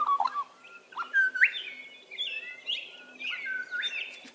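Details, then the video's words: Australian magpie in a forest giving a run of rich, gurgling and fluting notes that slide and warble, with a faint low hum in the background. "Australian magpie"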